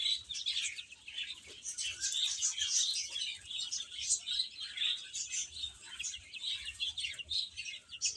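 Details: Chicks at feeding and play fill the air with a soft, continuous mass of tiny high chirps, coming in light pulses throughout.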